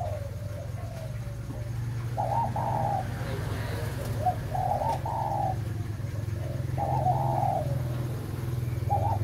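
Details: ["Spotted dove of the 'mã phân hồng' strain, breeding, giving a short then a longer rolling coo in three spaced phrases. A heavy low rumble, like traffic, underlies the song."]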